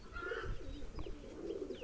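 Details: Soft, low pigeon cooing comes in two short murmuring bursts against steady low hum, recorded among domestic pigeons kept for sexing males and females.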